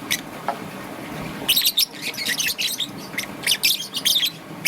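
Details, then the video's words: Morning chirping from a young peach-faced lovebird, green and yellow: a quiet first second, then a busy run of sharp, high twittering notes in quick clusters, over a soft hiss. "Lovebird's melodious chirping sound - Young Peach Face Lovebird - Green and Yellow"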